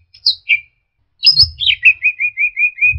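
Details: Orange-headed thrush training recording for songbirds: two short high notes, then a descending slur running into a steady series of about eight even chirps, with low thuds underneath.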